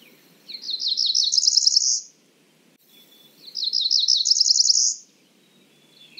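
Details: Cerulean warbler repeating its song twice, about three seconds apart. Each is a string of buzzy notes speeding up and rising into a bright, high final buzz over soft background noise.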